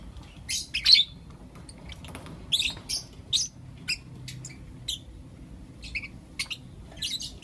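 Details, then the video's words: Lovebirds, blue opaline and lutino opaline, kept as pets and chirping in the morning: short, scattered high chirps, mostly single notes a second or so apart, with a low background hum. "Lovebird Chirping Sounds and Call Sounds From Blue Opaline & Lutino Opaline"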